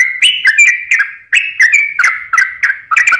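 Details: Short burst of sooty-headed bulbul song used as a lure for reluctant birds: quick, liquid whistled phrases, each sliding down slightly, repeated several times in about three seconds.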